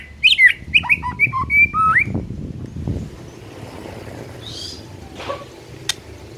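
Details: White-rumped shama singing to provoke a silent shama: two seconds of quick whistled and buzzy notes, then faint background noise with a distant chirp.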